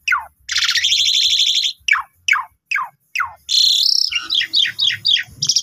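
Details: Young Asian pied starlings used as a lure for other starlings, giving a falling note, a long rasping rattle, four descending slurs, then a harsh note and a string of short squeaky calls.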